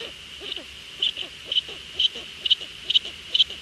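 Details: A female Eurasian eagle-owl talks with her young in the Achterhoek on 23 March 2013 at 16:51. Short soft notes repeat about every half second over a steady high tone.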